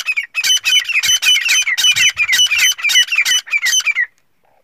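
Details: Male black francolin, or teetar, calling a female with a rapid string of harsh, grating, buzzy notes, roughly three per second, continuing for about four seconds and then stopping abruptly into quiet.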